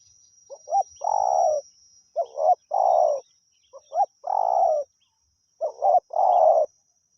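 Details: A wild spotted dove coos without pause while being lured by a decoy. Four phrases of paired short notes each run into a long, rough coo, roughly every one and a half seconds, over a thin constant whine.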